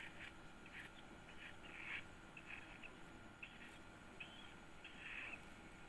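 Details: Begging calls from a yellow-vented bulbul chick one week old while it is fed: short scratchy chirps in spaced clusters over a low background hum.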